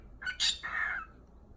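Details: A cockatiel imitates human speech, quickly and squawkily repeating "touchdown" and "pretty bird", phrases it picked up, its owner jokes, from too much football on TV.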